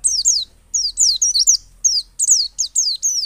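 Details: White-eye of the dakun type from Pacitan, ngalas and nembak singing meant to prompt other white-eyes to open their beaks: close, loud, high piercing notes, each slurring steeply downward, delivered in rapid pairs and triplets with brief gaps.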